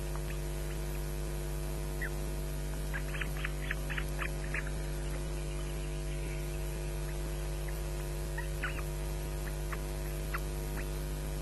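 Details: Osprey chicks at Loch Garten, 22 May 2012 just before ten in the morning, fighting and calling for breakfast as an adult watches. Scattered shrill chips build into a rapid cluster, then thin out, above a continuous buzzing hum.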